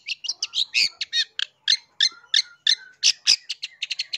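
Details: Long-tailed shrike singing, a recording meant as a lure for catching wild birds: quick run of chattering, buzzy notes mixed with brief whistles, about three per second, fairly irregular.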